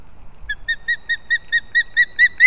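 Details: At a Kurzeme, Latvia nest in an old leaning pine, 11-9-24, competing young ospreys give a run of about ten sharp, high whistled notes, evenly spaced and building in loudness.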